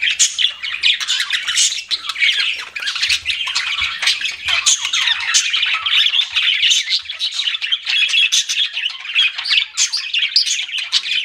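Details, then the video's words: Pet budgerigars chirping in a dense, continuous chatter of squawky warbles and rapid trills, filling the high register without pause for about eleven seconds. "CUTE PET BUDGIES CHIRPING"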